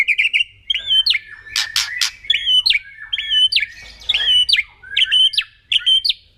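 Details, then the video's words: Kretekan song of a white-rumped shama, used to make other birds emotional: a hooked whistled phrase with a sharp upward flick, repeated about seven times, with a few harsh crackles between repeats. "KRETEKAN MURAI BATU LANGSUNG AUTO EMOSI"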